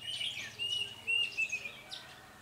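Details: Red-whiskered bulbul used as a decoy in bird trapping in Gia Lai, Vietnam, 21 February 2020; a short run of clear whistled and warbled notes, bright and slightly rising, with faint wingbeat-like noise and outdoor background hiss.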